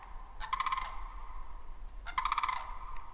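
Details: A Canada Goose by a creek and marshy area in the Tongass forest of southeast Alaska gives two loud, nasal, slightly rough honks about a second and a half apart over a low steady rumble of wind or water.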